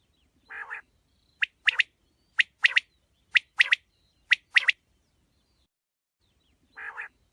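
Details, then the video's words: A quail gives clipped, raspy chirps in quick pairs, about one pair per second, then a pause and a final double note, with no other sounds. "Quail chirping sounds"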